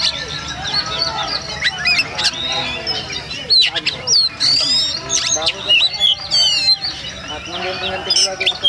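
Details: Oriental magpie-robin (kacer), a bird its keepers call strange, singing a rapid run of varied high whistles, sharp upward and downward sweeps, and buzzy notes, with human voices talking underneath throughout.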